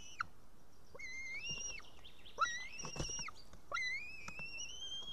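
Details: White-tailed eagle chick in Estonia begging for food on an evening in June 2018: three or four slurred whistles, each rising then holding high and falling away, with faint clicks and low background rumble.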